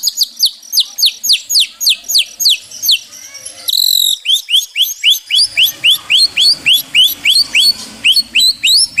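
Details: White-rumped shama song for therapy of stressed shamas: steady runs of sharp downslurred high whistles repeated several times a second, broken by a brief buzzy burst. Faint low background noise is present.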